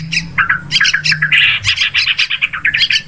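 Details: Yellow-vented bulbul used as a hunting lure, giving harsh bubbling chatter with a loud squawky stretch in the middle and fast stuttered notes, over a faint low hum.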